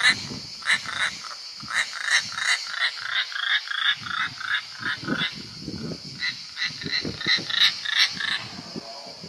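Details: European roller in Italy at a nest as the fifth youngster flies out; a long, uneven series of short harsh, croaking notes repeated nearly three times a second, over rustling and a constant high-pitched insect buzz.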